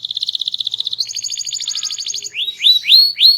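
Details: Loud, melodious canary with a small body and a varied song, heard in a rapid high trill that shifts to a second trill, then a series of rising whistled notes repeated about three times a second.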